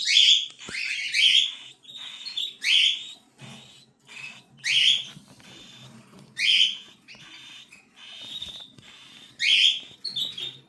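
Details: Cockatiel chicks repeatedly utter harsh, grating squawks, often in pairs, every one to two seconds, interspersed with thinner whistled notes and a faint low hum.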